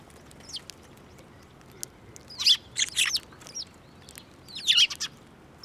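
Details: Feeding sparrows at Tenmangu shrine, mid-March 2024, landing on an offered hand; faint scattered chirps at first, then a few louder grouped chirps and a short excited cluster toward the end.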